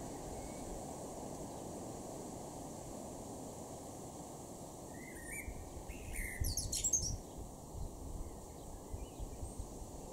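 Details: Male Common Blackbird in a garden in Norden, East Frisia, northwest Germany, recorded June 2023, gives one mellow fluted phrase ending in a scratchy high flourish, then quiet, against constant low outdoor noise.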